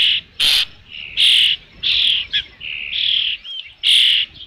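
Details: Osprey at its nest with a fish, nest camera recording from 3 June 2018 in late afternoon; loud, high, piercing whistled chirps in quick series, some strained and harsh, close to the microphone.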